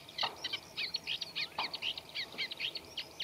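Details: Reed-bed Eurasian reed warbler, a slow, scratchy song with mimicry. Short grating notes repeat in a jerky rhythm, with a couple of dull thuds in the background.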